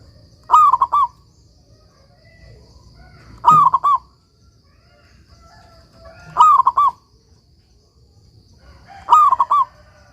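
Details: Zebra dove of a local strain, in full song and kept as a master bird for training others: four clear cooing phrases, each a brief stuttered rolling coo, spaced roughly three seconds apart over a faint low rumble.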